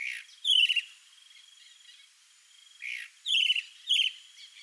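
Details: Male chalk-browed mockingbird, known in Brazil as sabiá-do-campo, singing to show off to a female: a few loud, harsh, buzzy phrases stacked with harmonics, spaced by gaps, over a faint steady high hiss.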